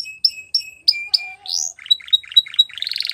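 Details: Canary training song: spaced short chirps over a steady thin tone, a rising whistle, then quick low buzzy notes and a harsh rolling trill.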